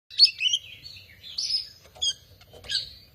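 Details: Oriental magpie-robin singing a short run of bright whistled and chattering notes, high and varied, in several quick bursts with brief pauses between them.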